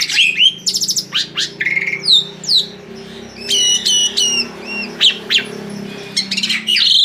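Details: Asian pied starling luring other birds to sing, with scattered sharp whistles, downward slurs and harsh buzzy notes spaced by short gaps, against a constant low humming background.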